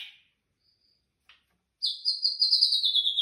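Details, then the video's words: White-rumped shama singing at night: a faint harsh note, then a long clear high whistle held steady and slowly falling, with a rapid tremolo. "Berkicau malam hari"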